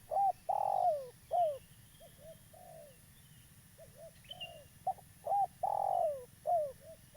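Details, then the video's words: Repeated twice: a local spotted dove, prized as a trapping lure, sings its cooing phrase of short notes, a long swelling coo and a falling coo, trailing into soft paired coos; faint high bird chirps. "Tekukur lokal gacor , cocok untuk pancingan"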